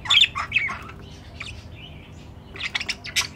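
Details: Budgerigars at the nest box, hoped to become a breeding pair: loud harsh squawks open, then a soft drawn-out whistle, ending in a rapid run of sharp scratchy chirps.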